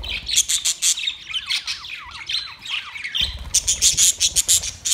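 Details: Colony of white and green parrots giving rapid, repeated harsh squawks, then a run of wavering chattering notes, then more fast squawks from several birds.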